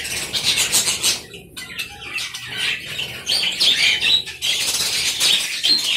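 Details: Colony of budgerigars in an aviary: dense, overlapping high-pitched squawks and chirps from many birds in continuous bursts, with brief lulls.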